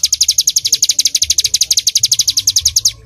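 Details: Bar-winged prinia, rapid-fire 'nembak' singing: quick bright chips repeated in a tight, even series for about three seconds, then stopping.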